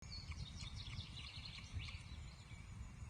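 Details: Young osprey chick at the Loch Arkaig nest on 3 June 2023, beside an unhatched egg, making gentle chupping sounds: soft, brief high chirps scattered through the clip over a steady low rumble.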